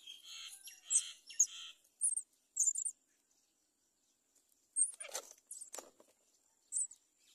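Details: Great myna (Acridotheres grandis), begging call: hungry chick begging for food.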